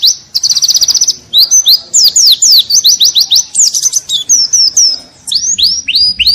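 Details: Pleci (white-eye) training song in the 'ngalas' style with bursts called 'shots': a fast, high buzzy trill for a second, then a rapid tumble of varied sharp whistled slurs and chirps, ending in a few falling notes.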